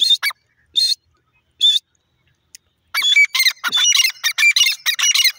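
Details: Francolin calling: three isolated harsh, grating notes, a pause, then a dense burst of rapid, raspy squawking notes repeated several times a second.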